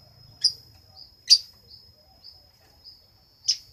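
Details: Three short, piercing high chirps from a lovebird, spaced irregularly about a second apart, with softer faint squeaks between them and a low hum underneath.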